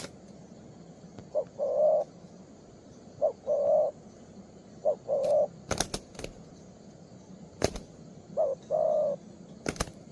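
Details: Young spotted dove of the 'two-strand' pearl-neck type, singing a full song at its perch. Four even phrases follow one another about two seconds apart, each a brief pip and then a sustained, mellow coo. Sharp knocks sound between phrases.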